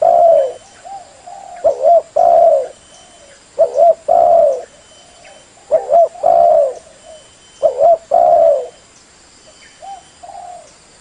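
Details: Female spotted dove calling to stimulate males: loud, low, hooting coos in paired phrases, each a short note then a longer one, with phrase groups about every two seconds and softer coos between. A faint steady hum lies underneath.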